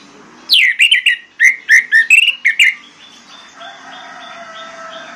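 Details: An Orange-headed Thrush, used as a lure to get quiet birds singing, gives a rapid run of rich, rising and falling whistled phrases, about eight notes in two seconds, followed by a faint steady hum.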